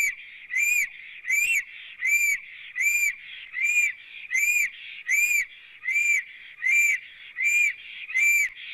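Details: Black stork song from a nest camera in Latvia, 9 April 2017 at about 14:03, with the female apparently present: a very regular run of about eleven breathy, arched whistles, each note roughly three-quarters of a second apart.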